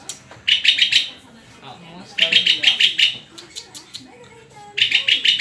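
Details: {'caption': 'White-rumped shama singing three rapid bursts of buzzy high notes, each about a second long, with quieter murmuring sounds filling the gaps.'}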